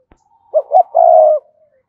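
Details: Decoy spotted dove cooing to lure wild doves: a faint click, then two short low coos and a long, even coo, close and clean.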